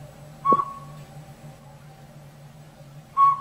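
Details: Tiny Northern Pygmy-Owl, robin-sized, apparently settled in an old sapsucker nest hole in a rotted hollow tree in backyard woods, unsettling the squirrels. Two short, clear, whistled toots about 2.7 seconds apart over a steady low hum.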